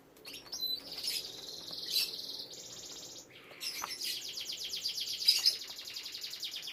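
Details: Caged canary kept for breeding with young canaries, singing high buzzy trills, a sustained metallic rattle and then a fast pulsing roll, with faint background noise.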